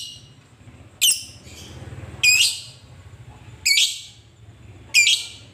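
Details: Lovebird calling to draw out a rival: four loud, harsh, rasping screeches spaced a bit over a second apart, each sharp at the start and then fading, with a faint low hum between them.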